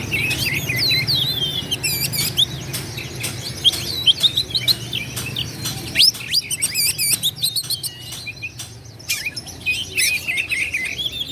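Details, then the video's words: Oriental magpie-robin song intended to provoke rival birds into fighting. Looping whistles and buzzy chirps run in long phrases, broken by sharp clicks and short gaps, over a low background rumble. "KACER GACOR LAWAN PASTI NGAMUK EMOSI NARUNG BUKA EKOR"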